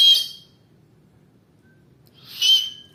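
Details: Oriental magpie-robin in full song, giving two short, bright whistled bursts with a rough, noisy edge, separated by about two seconds of quiet and a faint low hum.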